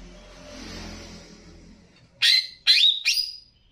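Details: Greater green leafbird (Banyuwangi type) singing as a master to excite other leafbirds: after a stretch of soft rumbling noise, three loud ringing whistled notes burst out in quick succession, each sliding up then trailing off.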